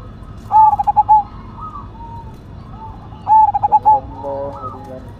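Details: A Cemani Majapahit zebra dove, noted for its big voice, delivers two cooing phrases close together, each a quick stutter of notes ending in a longer held tone. Faint calls from other birds follow.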